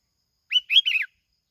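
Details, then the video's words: Lure song of a plain-backed sparrow from Bình Thuận, Vietnam: a short, clean burst of three bright chirps, the last sweeping downward, lasting about half a second against silence. "tiếng chim bông lau kít bổi"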